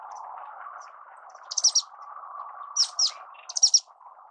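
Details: Orange-cheeked waxbill (Estrilda melpoda) song: three short bursts of very high, thin, rapid chirps, the second a clear double note, spaced about a second apart above a steady low background hum.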